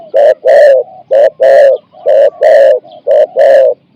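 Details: Spotted dove decoy luring wild birds with 'ang'-style coo phrases of four to five notes: a steady beat of short-long coo pairs, four pairs in a row, deep, hoarse and evenly spaced.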